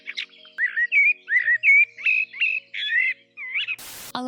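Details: Common blackbird (Turdus merula) singing a run of short, warbled, fluting notes in quick succession, cut off near the end by a brief burst of harsh noise.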